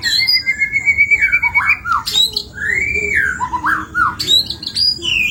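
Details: White-rumped shama in full, varied song, played to draw other birds into singing: a long level whistle, then rich slurred arching phrases and short trills, ending in bright high whistles.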